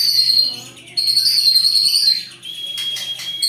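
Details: Captive-bred white-rumped shama of Jawara lineage, Indonesia, delivering long song bursts meant to daunt rivals: strong high whistled phrases broken by a brief quiet gap, then a thinner sustained whistle and scratchy notes.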